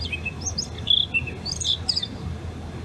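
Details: A blue rock thrush at a neighbourhood hot spring in Japan, 23 August 2021, recorded by phone, gives a scatter of short, high, clear chirps and brief whistled notes over about three seconds, against a low background hum.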